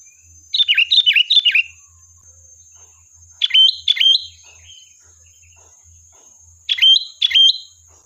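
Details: Sooty-headed bulbul singing as a lure to provoke a reply, a quick run of four bubbly chirps followed by paired phrases of sharp notes ending in short fluty whistles, with a constant thin high hum.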